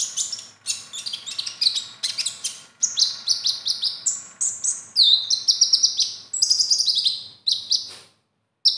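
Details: A konin in full contest song sings a fast, high, varied stream of twittering and trilled phrases, packed with borrowed notes from other birds and said to be the kind of material judges favour, pausing briefly near the end.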